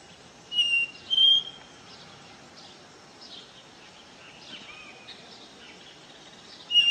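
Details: Caboclinho seedeater singing the pure 'ré mi' style song: two clear whistled notes early, the second higher, another at the end, over soft chatter of other birds.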